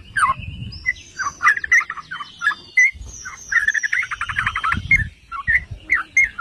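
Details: Trucukan (yellow-vented bulbul) lure song for stirring other bulbuls: separate bubbling phrases with short pauses, one fast rattling run in the middle, and intermittent low thumps in the background.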